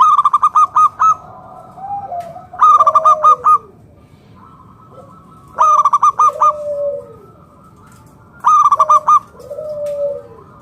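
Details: Zebra dove of local stock, singing to lure other perkutut into calling: four bursts of fast, loud, rolled staccato notes roughly every three seconds, each trailed by a softer, lower, falling coo.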